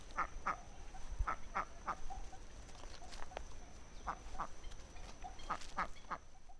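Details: Muscovy duck producing clipped, hoarse quacks in small bursts of two to four, with pauses between groups and a faint constant hum behind.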